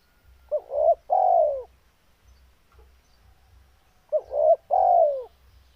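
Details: Breeding-condition spotted dove repeats its mellow coo phrase twice, short paired notes leading into a longer falling coo, roughly every three seconds, over faint low background hum.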